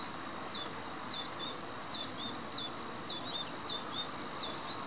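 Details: American goldfinch begging for food, Knoch Knolls Park, Naperville, Illinois, 26 September 2015: high, thin, squeaky downslurred peeps repeated about every half second, insistent and steady, over a soft background hiss.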